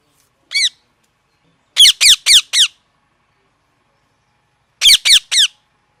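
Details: Parrot giving loud, harsh squawks with stacked, downward-sweeping tones: one single squawk, then a rapid run of four, a pause, and three more in quick succession. The background is silent.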